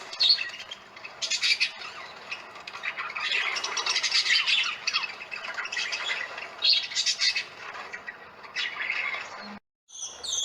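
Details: Parakeets calling for attention during a family visit, a busy chorus of harsh, overlapping squawks and chirps that rises and falls in bursts, ending in a brief silence.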